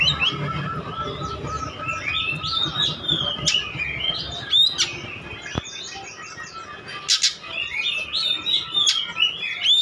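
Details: Oriental magpie-robin in full, constant song, used as a lure to provoke other birds into answering; varied whistled and chattering phrases come in quick succession, with sharp clicks and a steady low background hum throughout.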